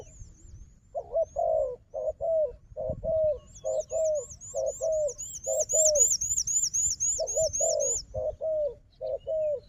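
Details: A wild dove, strong in fighting, calls against a strong decoy dove. It gives a long series of mellow coos, roughly one per second. A fast, high, repeated whistling from another bird overlaps the middle part.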